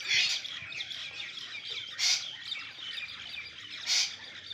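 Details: Golden pheasant giving three loud, harsh, rasping calls spaced roughly two seconds apart, each a short burst standing out over a steady high background hiss.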